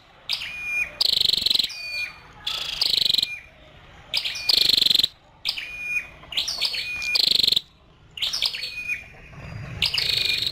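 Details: Female scarlet-backed flowerpecker delivering a long series of high, rapidly pulsed buzzes, each preceded by thin whistled slides, with irregular pauses between bursts.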